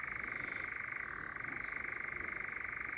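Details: A European Nightjar churrs very close by at night in Sherwood Forest on 14 May. It gives a steady, rapid mechanical trill that dips briefly in pitch midway before resuming, while a second bird churrs faintly in the distance.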